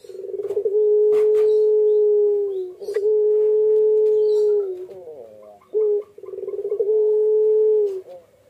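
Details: Puter pelung Barbary dove sitting on its eggs, giving long sustained low coos of about two seconds each, separated by brief pulsed rolls; a steady, unbroken run of calls.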